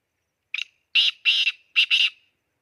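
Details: Black francolin calling in an excited mood: a short sharp opening note, then three loud, harsh, grating phrases, the last two close together, all in a quiet setting.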